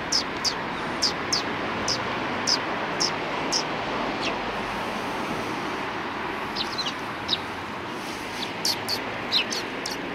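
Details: Eurasian tree sparrows taking a rest after feeding, 26 January 2020: sharp chirps repeated about twice a second, a pause, then a denser burst of overlapping chirps, with a steady rushing background.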